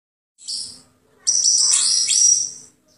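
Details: A greater green leafbird gives a brief high chatter, then a longer run of bright whistled notes and quick sweeping slurs, apparently mimicry, remarked to still sound like a magpie-robin; faint low hum underneath.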